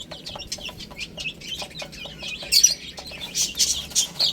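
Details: Little chicks eating spinach utter short, clear, slightly downslurred peeps spaced irregularly, joined by louder scratchy pecking and rustling toward the end.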